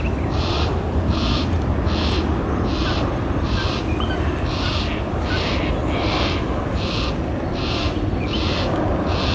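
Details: A fully fledged juvenile yellow-tailed black cockatoo, in a banksia tree with its family of two adults and two juveniles, gives harsh, squeaky begging calls to its parents about every two-thirds of a second, over heavy low wind rumble.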